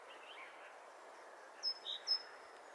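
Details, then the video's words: Great tit recorded at the start of spring, its familiar call heralding spring: three quick, thin whistled notes, high-low-high, over steady outdoor background hiss. "Głos sikory bogatki zwiastujący wiosnę"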